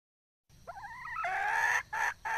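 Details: Red junglefowl hen giving a wavering, nasal, drawn-out whine that runs into a louder rough note and two short clucks.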